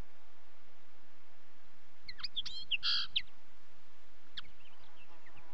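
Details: Common linnet song: a brief twittering burst with chirps and a buzzy nasal note, then a few softer scattered notes.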